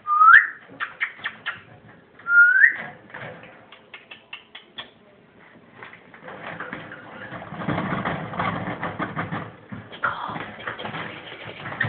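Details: Pet ringneck parrot of unknown sex laughing: two short rising whistles, then a run of rapid choppy bursts, giving way to a dense noisy stretch with a person talking nearby.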